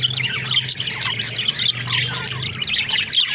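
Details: Pet budgerigars, described as talking budgies, in a dense stream of high, scratchy warbles and chirps with brief squawks. A low hum runs underneath.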